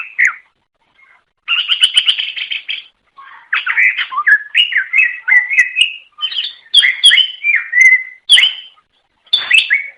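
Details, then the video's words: Greater green leafbird, a songbird native to Indonesia, singing to attract others of its kind: a rich run of whistled, warbling phrases, slurred notes sliding up and down, with short pauses between bursts; no other sounds. "Suara Kicau Burung Cucak Ijo Durasi Panjang Untuk Memikat"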